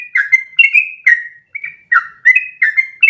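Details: Sooty-headed bulbul giving its active 'ropel' training song: bright whistled notes, some held and gliding, others short chirps dropping in pitch, repeated in a quick, uneven rhythm with a brief pause midway.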